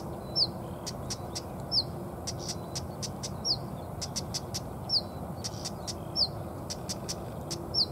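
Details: Anxious female Siberian stonechat at the nest repeating a high whistled slurred note about every 1.3 seconds, each followed by clusters of sharp tick-like clicks, over low background hum.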